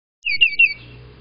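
A titmouse gives one brief, high, slightly harsh call of about half a second, wavering in pitch. A faint low background hum is also heard.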